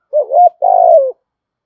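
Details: Spotted dove cooing, a call used to provoke wild doves into calling back: two low, mellow phrases, a short wavering coo followed after a brief gap by a longer, steady coo that sags downward at its end; no other sounds.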